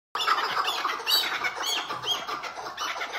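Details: A tethered chukar partridge gives its hıngırma call, a steady run of harsh, grating squawks and chuckles, dense and continuous for about three seconds with no other clear sounds.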